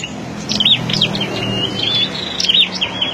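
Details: Flowerpecker held in a wide mesh cage as a decoy. It gives quick, high, squeaky chirps in clustered bursts, some notes dipping in pitch, over a steady low background hum.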